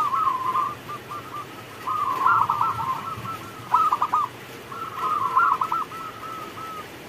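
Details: Zebra dove of local stock singing while it rains, a long sequence of rippling trilled coos in bursts of varying loudness, carried over steady rain noise.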